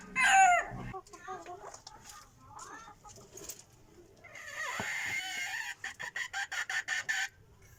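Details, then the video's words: Decoy rooster of a Burmese line, praised as a very good crower, gives a loud harsh harmonic burst in the first second, followed by quieter scratchy calls, a buzzy stretch and a quick run of rhythmic pulses near the end. "qaib dib qua zoo heev li"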